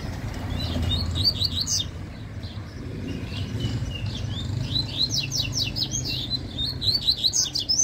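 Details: Yellow-bellied seedeater in a singing dispute, giving fast runs of sharp, high twittering notes in several bursts, with a continuous low background hum throughout.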